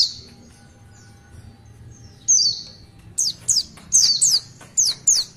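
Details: High sweeping chirps from an Oriental white-eye (pleci) during its long 'tulitwitwit' song, starting sparse, then a run of six sharp downslurred notes spaced about every third of a second.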